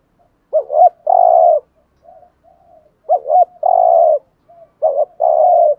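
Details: Spotted dove cooing in the 'gù thúc' urging style, a recording played to lure wild doves: three phrases, each a quick warbled double note followed by a long, steady, mellow coo, roughly every two seconds, against a quiet background.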